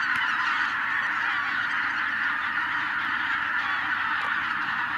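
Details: A huge flock of wild geese, tens of thousands strong, rises after being disturbed by a white-tailed eagle; overlapping honks form a constant, roaring chorus with a few brief sharper notes standing out.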